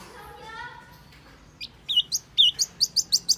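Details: Wambi lure call for luring birds: after a faint low harmonic sound, sharp high chirps and flat whistled notes start, then quicken into a regular run of bright rising notes.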